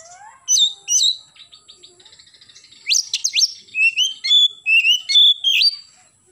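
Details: Oriental magpie-robin morning song with two loud whistled notes, a soft rattle, then a burst of sharp downslurred whistles leading into a string of clear varied whistles rising and falling.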